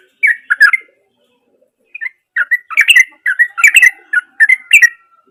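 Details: Natural song of an actively singing yellow-vented bulbul, used to coax a silent bird into song: a short bubbly burst, a pause, then a steady series of liquid, slightly buzzy whistled phrases.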